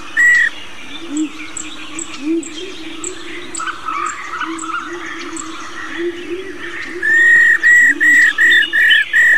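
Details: Old wild-caught female laughingthrush calling 'rò rò' to excite males. After varied chattering and twittering from other birds over a low drone, a closing run of six loud, even, flat whistled notes repeats about twice per second.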